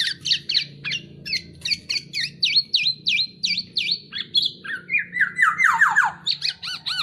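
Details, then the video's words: Black-naped oriole in a training recording: a fast, regular series of sharp dipping chirps, then a descending cascade of slurred, squealing notes and a few more rapid chirps. "MASTERAN BURUNG KEPODANG"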